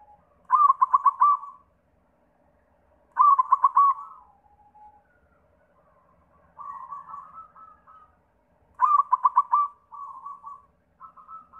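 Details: White perkutut, a zebra dove, singing as a lure for local doves: three loud, clipped bursts of rapid coo pulses spaced a few seconds apart, each trailing into softer murmuring coos.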